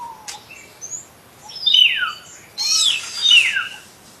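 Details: Common hill myna calling: loud descending whistled slurs and harsh broadband notes in two bursts, with a few faint higher chirps between.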